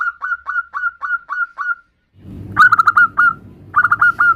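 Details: Zebra dove female calling a male: clean hooked notes repeated steadily, then after a short pause a louder, quicker volley of similar notes over a low rumbling background.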